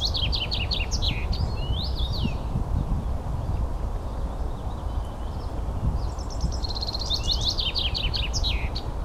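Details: A common rosefinch in Espoo, Finland, on 9 June 2015 gives two bursts of clear, quick whistled notes, about four seconds apart, over a steady low rumble of wind or distant traffic.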